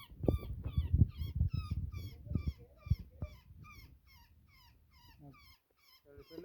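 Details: Woodpecker entangled in netting giving fast, grating distress calls in quick succession, mixed with rustling and bumping of the rescue at first, then calls continuing alone and tailing off.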